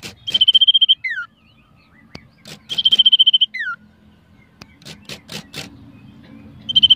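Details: Common iora kept for song contests, stirred up during a pre-contest warm-up, repeats a phrase twice: a bright high trill of a dozen rapid notes followed by a descending slurred whistle, with clicking and knocking noises between.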